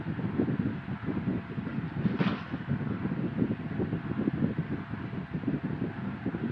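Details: Steady wind-like rumble and broadband noise throughout, with no animal sound.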